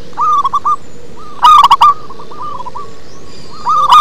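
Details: Bass-voiced local zebra dove: a soft run of quick coos, then a loud rolling burst, then trailing quieter notes before another loud phrase begins, all over a low steady hum.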